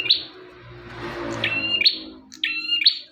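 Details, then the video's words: Vigorous song of a bar-winged prinia for training cage birds: high, sharp, buzzy phrases with piercing upward notes, partly over a low, humming, noisy background. "Burung prenjak tamu / prenjak omah gacor"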